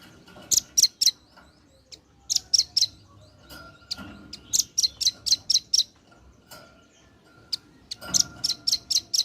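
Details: Male red-billed nuthatch calling to its companions, lively and persistent: bursts of sharp, high, clipped notes in quick runs of three to five, separated by short pauses, with a faint steady hum underneath.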